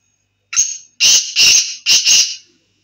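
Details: Black francolin, known locally as kala teetar, giving a loud, harsh, grating call: a short thin whistle, then four buzzy, raspy notes grouped two and two over about two seconds, in clean silence.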